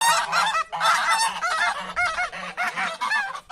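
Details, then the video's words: Several geese honk loudly and continuously as humans approach them, harsh nasal calls overlapping in quick bursts with no pause. "The Natural Sound of Geese when Humans Approach Them"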